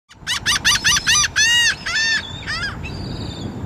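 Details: Royal tern (Thalasseus maximus) at Barnegat Light, New Jersey, in August gives a quick run of five harsh, ringing notes, then several longer, drawn-out grating calls, over a low background hiss.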